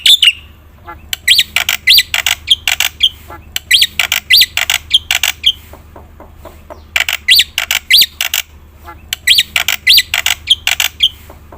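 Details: Black-winged myna in lively fill-in song, meant to prompt quiet birds to sing; repeated bursts of harsh squawks mixed with rising whistled notes, four phrases separated by short pauses, faint low hum throughout.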